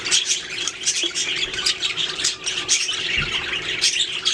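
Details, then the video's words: Budgerigars singing in loud continuous chatter, fast overlapping high chirps and grating warbles, with a brief low thump near the end. "Budgies singing making sounds chirping"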